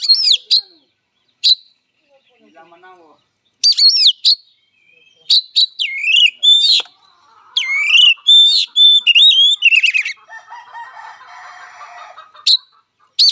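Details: Oriental magpie-robin in fighting song: loud clear whistled phrases with sweeping rising and falling notes, sharp high clicks and chips in separated bursts, a softer scratchy twitter near the end, and faint low murmurs between bursts.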